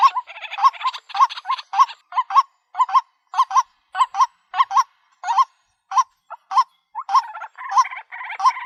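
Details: Female white-breasted waterhen calling for a mate, a real recording said to work as a lure: short hooked notes repeated almost twice a second, with harsher rattling bursts overlapping between them.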